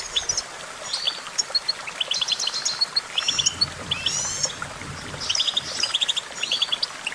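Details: Goldfinch twittering song: lively bursts of high, tinkling notes and short trills, with more than one bird chirping at once over a soft low hum.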